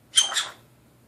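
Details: A pet Nanday conure, making noises at a mirror, gives a single short, harsh, raspy screech with a bright, high-pitched edge, lasting under half a second, in a quiet indoor room.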